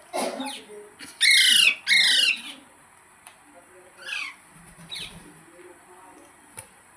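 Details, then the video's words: Green parrot giving two loud, harsh, buzzy squawks back to back, followed by a few fainter rasping calls and quieter gaps, heard indoors. "Green Parrot Talking Natural Sounds | Tote Ki Awaaz | Mitthu Ki Awaaz"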